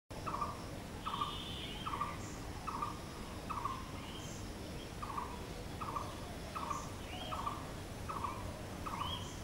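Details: Blue-throated barbet, known locally as bosonto bouri, giving a steady series of short mid-pitched notes, each repeated about every 0.8 seconds, with faint high chirps from other birds and a low background hum.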